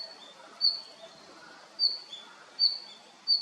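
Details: Male red-flanked bluetail; short high, thin whistled notes repeated roughly every second over a soft background hiss.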